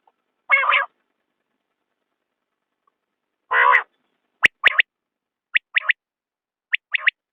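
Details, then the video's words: Common quail: two separate short, gravelly bursts, then three quick triple-note phrases, each a sharp note and a fast double, repeated about once a second against silence. "بٹیر کی آواز/ quail bird sound"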